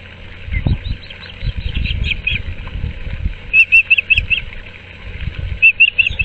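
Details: Osprey at the Moorings Park nest on 6 March 2024, during a changeover as the male brings a fish for the female. Bursts of high, short chirps are given in quick runs, with low thumps and rustling at the nest between them.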